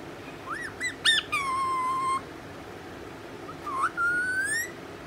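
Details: Four-month-old pet rose-ringed parakeet, described as angry, giving a series of clear whistled calls: short rising-falling notes, then a long level whistle, and after a pause a rising upsweep into a long gently climbing whistle, over faint indoor background noise.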